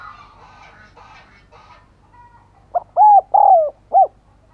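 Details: Decoy spotted dove cooing to attract others, a chatter of other birds at first, then a single hollow phrase of short, long, long and short coos.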